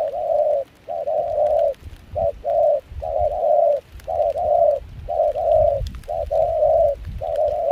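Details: In rain and cold wind at Kon Tum, a wild-caught spotted dove decoy with a foreign-mixed voice sings rhythmic coos, each a short note then a longer slurred one, repeated about once a second over faint low rumble.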